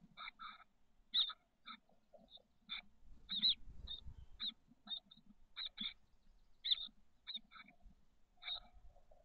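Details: Nest box brood of six chestnut-backed chickadee chicks, 13 days old, SF Bay south peninsula, late May: brief harsh hissing bursts repeated irregularly about every second or two, with faint low murmurs between.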